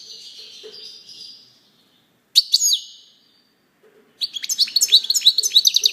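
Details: A European goldfinch's song opens with a drawn-out buzzy trill, then a sharp bright call. After a brief pause comes a lively run of quick, liquid, high-pitched twittering notes.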